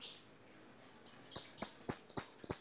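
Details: European goldfinch singing: after a faint note and a brief thin whistle, a run of six loud, high, slightly descending buzzy notes follows in quick succession, about one every quarter second, with soft clicks beneath.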